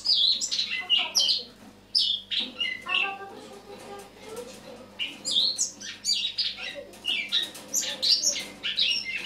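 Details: Eurasian blackcap singing its autumn song on a morning of 1 October 2017: rich, rapid warbling and chattering phrases of high, varied notes in dense bursts, with a brief lull near two seconds and quieter twittering mid-clip.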